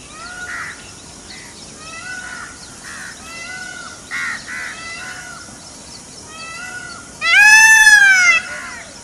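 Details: Softer peacock cries in a forest, a string of short wavering notes, then one sudden loud, harsh upslurred scream near the end.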